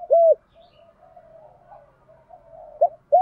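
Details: Spotted dove cooing in the 'đồng pha' voice style, used to prompt other doves to coo: a loud arched coo, a stretch of soft murmured cooing, then a short coo and another loud arched note.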